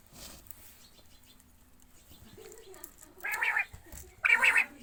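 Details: Quail being given water give two loud, harsh, rasping calls about a second apart, after a few faint high chirps and a soft background hiss.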